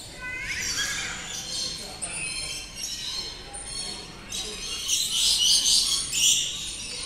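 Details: Birds kept in an aviary at Ramoji Film City chirping: high squeaky notes and rapid harmonic trills, busiest toward the end, over a steady roar of crowd noise and indoor echo.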